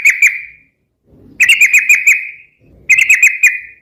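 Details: Sooty-headed bulbul in lively song, used as a lure and training bird: a short chortled phrase followed by two longer bursts of four to five quick, liquid notes, each ending in a ringing tail.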